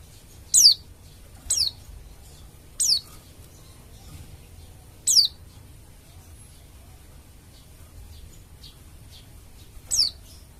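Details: Oriental white-eye (pleci dakun Bali), a lively singer played so other white-eyes start singing: five short, high descending whistles at irregular intervals over ten seconds, with a long pause before the last, plus faint ticks.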